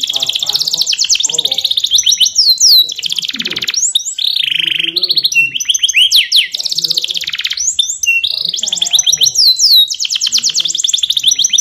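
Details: Training song of a yellow canary, loud and unbroken: rapid rattling trills alternate with swooping whistled notes and downward slurs, phrases switching every second or two, the bird singing without pause throughout.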